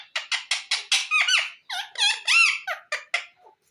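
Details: Green ring-necked parakeet talking, a rapid run of short, squeaky, speech-like syllables with gliding pitch, loud and close in a quiet indoor space.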